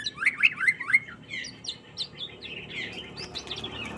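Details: Greater green leafbird in mental training: a rapid, varied run of sharp chirps and slurred whistled notes that jump between pitches, loudest at the start, then continuing in busy, scratchy phrases.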